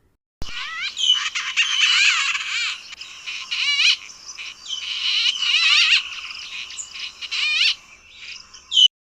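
White-fronted Bee-eaters calling together: a busy chatter of liquid, rolling chirps and trills, several birds overlapping in quick bursts.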